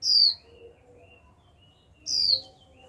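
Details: Two bright descending 'chíu' whistles about two seconds apart from a young captive female white-eye, called repeatedly to spur newly caught birds to sing; faint thin chirps from other birds between them.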